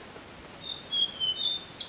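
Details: Tickell's blue flycatcher song (type 2): a string of thin, high, sweet whistled notes, some sliding down, over a soft background hiss.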